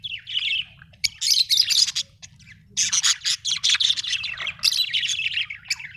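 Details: Budgerigar chirping: dense, warbling chatter of rapid chirps and squeaky notes in bursts, with a short pause in the middle, over faint low background hum.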